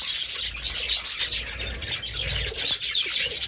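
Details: Budgies chattering in a cage, a steady run of squeaky chirps, scratchy warbles and quick trills at high pitch, with low background rumble and faint rubbing noises.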